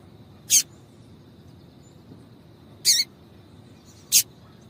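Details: Calls of a female double-collared seedeater, meant to excite male birds to sing: three brief, piercing high chips, the second slightly doubled, separated by gaps of one to two seconds, with a faint constant high tone behind.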